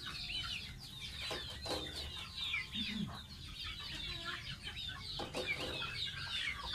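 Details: Pet baby domestic goose being bathed, giving a steady stream of high, thin, downward-sliding peeps, several per second, with occasional soft knocks and low background rumble.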